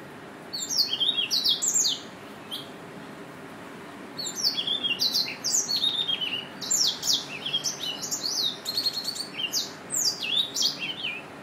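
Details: Rapid bursts of high, sharp, sliding chirps from a Yelloweye finch. A short flurry opens, then after a pause comes a longer, busier run of bright tweets with quick downward slurs.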